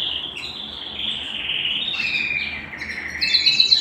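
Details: Indoor canary at home giving a continuous whistled trill that dips lower midway, then ends in a fast, bright, higher rattle of repeated notes.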